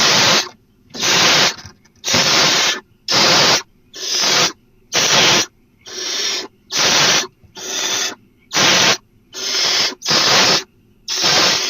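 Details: At night, a barn owl nest receives the first food delivery, a partial, headless prey item looking like an opossum, dated 4/3/12. Long run of rasping, breathy screeches, about one per second, fairly even in length.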